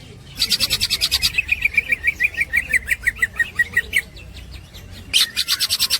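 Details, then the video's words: Green leafbird master song for tutoring songbirds: a dense burst of high buzzy notes, then a run of quick descending chattering notes, pause, and another high buzzy burst at the end. "the master of the green cucak bird is full of melodious snickering"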